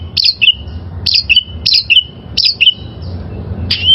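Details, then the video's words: Wild oriental magpie-robin song for tutoring caged birds: a short phrase of a high note dropping to a lower whistle, repeated roughly every 0.7 seconds, over a steady low background hum. "Masteran Suara Burung Kacer Liyar"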